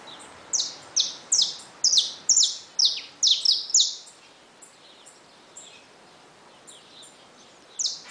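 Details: Caged saffron finches kept with newly hatched chicks, singing cheerfully and hopping about the cage: a quick run of about eight bright, high, downslurred notes, then a lull with faint scattered chirps and one more loud note at the end.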